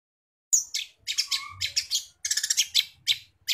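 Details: Long-tailed shrike singing lively, its song filled with house sparrow mimicry: bursts of sharp, high chirps and short harsh notes in quick clusters, with a brief lower whistled note near the middle.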